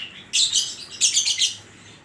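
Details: Oriental magpie-robin (kacer) performing isian koslet filler song: two loud, dense, scratchy bursts of rapid notes, each lasting about half a second, in quick succession.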